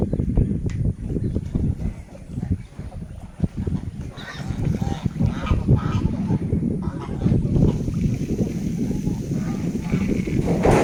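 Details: A group of swans trumpeting, with honking calls that rise and fall over about eleven seconds, heard above a steady low rumbling background.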